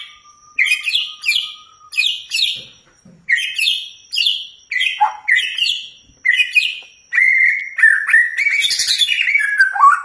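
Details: White-rumped shama song meant to provoke a caged bird into full singing with its filler songs; separate sharp chirped notes a second apart, then a continuous rich warble with buzzy rasps.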